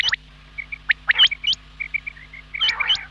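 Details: Quail voices: sharp rising whistles and hooked high notes, then a string of soft short mid-pitched peeps, ending in a rough buzzy burst, over a faint hum.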